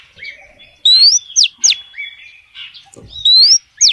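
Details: Calls of a female oriental magpie-robin to attract males: rising whistled notes mixed with sharp downward-sweeping notes, loud and clear over a quiet background, phrases spaced under a second apart.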